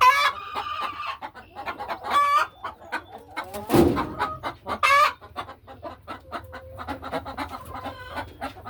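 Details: Laying hens going about their afternoon in a farm hen house; scattered clucks and brief squawking calls from several hens, with a sharp thump or scrape partway through and quieter clucking afterwards.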